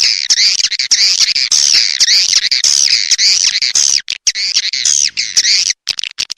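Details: Swiftlets in the rainy season giving loud, continuous, wavering buzzy twitters, with repeated rising-and-falling notes about once a second. These end in scattered chirps and clicks.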